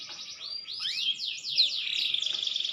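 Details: Maturing green canary giving swooping whistled notes that curve up and down, ending in a quick buzzy trill.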